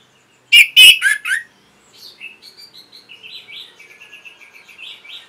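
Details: Orange-headed thrush song for teaching caged birds: a burst of four loud, harsh chirps, then a long, low-volume run of quick warbled notes that rise and fall.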